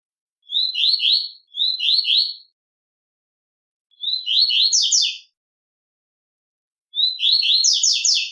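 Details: Double-collared seedeater learning the tui-tui song and competing with a recorded tutor song, singing four bright, rapid phrases of clipped whistled notes, each about a second long, with clean silence between.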